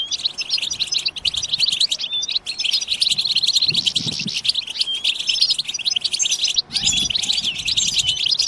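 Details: A flock of European goldfinches twittering together in a batbata session meant to spur singing. Rapid liquid chirps and trills run throughout, briefly dipping twice, with faint low rumbles in the background.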